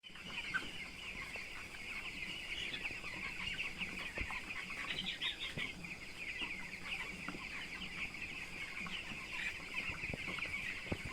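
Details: Twelve-day-old broiler chicks in a poultry farm house: a dense, continuous chorus of high, thin peeps from many birds overlapping without pause, over a low steady hum.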